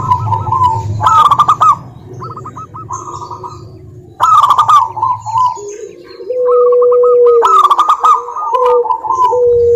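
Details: Local zebra dove lure song for doves reluctant to sing: trilled ringing coos and quick repeated notes, joined later by a lower, steady drawn-out cooing tone, with sharp clicks throughout.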